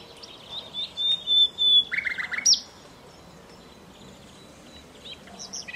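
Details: Common nightingale (Luscinia megarhynchos) song in alluvial forest by the Danube, Dunajské Luhy, Slovakia: a quick, varied phrase of a long pure whistle then buzzy, rattling notes, then a pause and a few soft, high, scattered notes.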